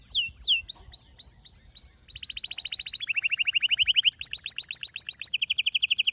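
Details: Male canary singing while a female gives her mating call, indoors: looping downward-slurred whistles, then long steady trills stepping from mid to lower to higher pitch, each a rapid even series of notes.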